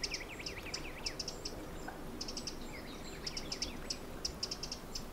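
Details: Adult little grebes foraging with their chicks in the dunes of Egmond; quick high peeps in runs, mixed with wavering, rippling mid-pitched notes early on and again midway.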